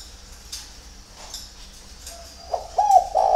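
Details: Spotted dove's early-morning song from a bird garden in Ba Vì, Hanoi, Vietnam: near-silence with faint clicks, then a burst of three rhythmic, hollow coos that grow louder toward the end.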